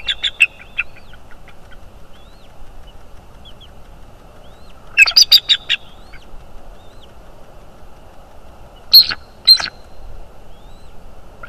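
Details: {'caption': 'Bald eagle calling at a north-east Florida nest on 25 January 2022, picked up by a nest camera. Brief high-pitched chittering comes in three scattered bursts of a few squeaky notes, with quiet background between them.'}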